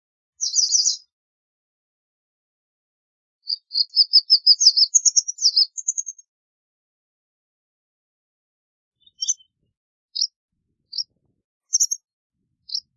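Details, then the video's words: White wagtail with a brief cluster of chirps, then a quick string of rising twittered notes, followed by sparse single high tsips spaced about a second apart in silence. "White Wagtail Song! White Wagtail Call! White Wagtail Sound- Lavandera Blanca Canto"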